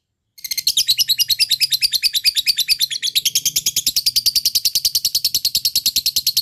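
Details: Lovebird fighter in full ngekek, the long chatter used to coax silent lovebirds into song: after a brief silence, a sudden burst of rapid, shrill repeated notes continues steadily to the end.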